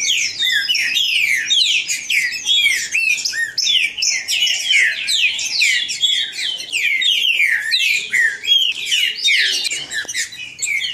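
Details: Great-billed seed finch song recorded live at a registered breeder's aviary, meant to excite another male: a dense, continuous tumble of whistled downslurs and chirps, rapid and loud throughout, with a faint low murmur beneath.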